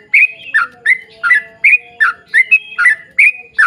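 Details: Short stretch of yellow-vented bulbul 'ropel' song for luring others to sing: ringing chirps alternating high and lower slurs, nearly three per second, with a faint steady tone behind.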